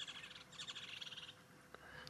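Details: Woodland Kingfishers at sunrise on 3 December 2016, calling unseen but not far away. They give a fast, high-pitched chatter of rapid repeated notes for just over a second, with faint clicks after. This chattering usually means a male and female share the area.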